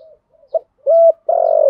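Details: Brief stretch of spotted dove cooing in the thổ style, used to provoke other doves: a tiny blip, a steady flat coo, then a longer rough, slightly falling coo cut off at the end.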